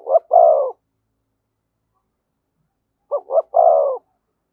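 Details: Spotted dove giving thúc gù coos close to a decoy bird; the tail of one phrase, then after a three-second silence a full phrase of two quick coos and a longer low coo.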